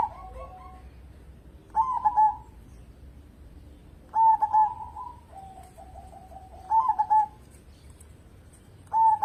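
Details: Local zebra dove singing steadily, used as a lure to get other birds singing. Four spaced bursts of clipped, mellow three-note coos, one followed by a soft, low, stuttering trill.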